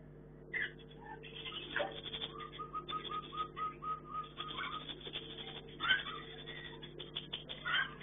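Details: Captive Chinese hwamei, housed for breeding in a hanging cage, delivers a string of repeated clear whistled notes amid busier chattering phrases and a faint steady hum.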